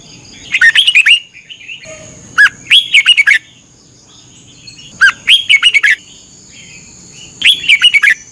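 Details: Red-whiskered bulbul, Thai cage bird, singing during morning training: four loud phrases of slurred, cheerful whistles rising then dropping, spaced about two seconds apart, with constant faint electrical hum.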